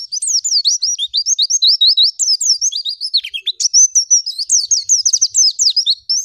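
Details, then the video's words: Female white-eye in a training recording for other birds. A continuous, rapid warble of high, thin, bouncing notes runs for six seconds, with a brief lower dip in the middle. No other sounds are heard. "MASTERAN PLECI LANGSUNG BUKA PARUH"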